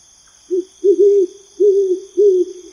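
An owl gives four low, mellow hoots in under three seconds, the later ones drawn out, over a steady high trilling of night insects.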